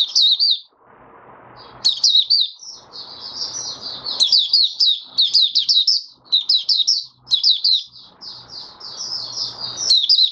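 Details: Caged oriental white-eye (Mata Puteh Raja) in open 'buka sing' song, five days after its monthly deworming, 20 January 2022: rapid high twittering phrases of slurred chirps, broken by short pauses, over a soft low hiss between phrases.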